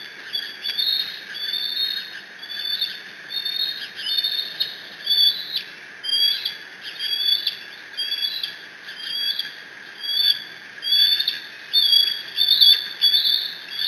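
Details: Bald eagle eaglet at Decorah on 30 June 2017, caught on a nest camera. It mantles a fish brought by its father and keeps squeeing: high, piercing chirped squeals repeated about every second through the stretch, some with wavering pitch.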